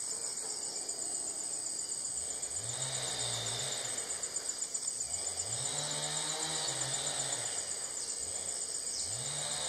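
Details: A Rhinoceros hornbill gives low, drawn-out honks that rise and fall about every three seconds over a loud, steady wall of insect buzzing. This is at an active natural nest cavity in Merapoh Hornbill Valley, Malaysian rainforest, in early August, where the female has left the chick inside.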